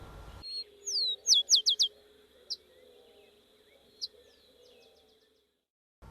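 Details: House Wren nestlings give begging calls, thin, very high chirps sweeping downward, reaching frequencies beyond human hearing: a quick burst of five, then scattered single notes, over a faint steady hum.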